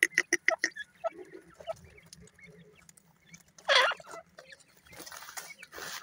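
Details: Playing grey francolin chicks open with a fast burst of four or five clipped, bright chirps, then fall to faint scattered notes, with one louder harsh call partway through.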